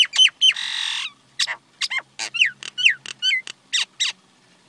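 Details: Common myna (Acridotheres tristis), call.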